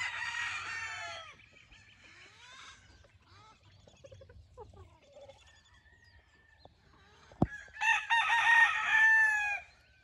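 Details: Wingate Brown Red gamefowl, a stag kept with a hen in a brood pen on a game farm; a harsh, ragged crow opens the recording, then quieter clucks and scratchy sounds, and a second loud, rasping crow near the end.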